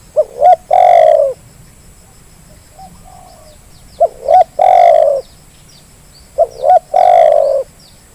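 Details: Spotted dove call used as a lure to make reluctant birds call: three evenly spaced phrases of two quick rising notes and a long mellow falling coo, with faint high hiss.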